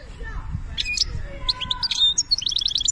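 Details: European goldfinch from Algeria singing a fast, high, tinkling twitter of bright chirps and trills that speeds into a rapid run of notes, with soft speech and low rumble underneath.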